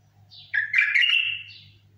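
A bulbul gives one rich, slurred, warbling phrase of about a second, bright and mid-high, over a faint low steady hum.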